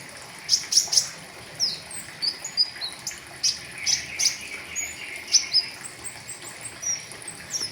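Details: Riwikan-style song, full of fill-ins, from a pentis raja flowerpecker, meant as tutoring for caged birds; a lively run of piercing high ticks and short downward slurs, about two per second, with soft background hiss.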